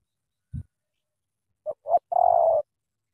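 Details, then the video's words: Thổ tơ cooing from a big-voiced Spotted dove from Cà Mau. A soft thump comes first, then two brief coos and one long, pulsing low coo. "Thổ tơ âm khủng chim đủ bài bản"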